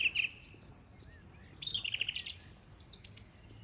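Song thrush singing in short, clear phrases: a rich whistle, a quick run of repeated fluty notes, then thin high strokes, separated by pauses over faint low rumble.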